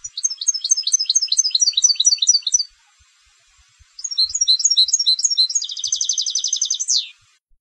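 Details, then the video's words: Competition goldfinch in full song: rapid tinkling chirps in two bursts separated by a pause, the second ending in a dense, even trill that drops away in a sharp downward sweep. "Jilgueros de Concurso - Canto del Jilguero"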